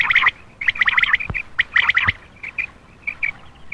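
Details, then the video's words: Common quail call to attract males at night: clipped whistled notes in quick groups, fading to softer, sparser notes toward the end, with a couple of sharp clicks. "Attractive common quail for male part 6/ Batair Ka Bulara rat Ka lea"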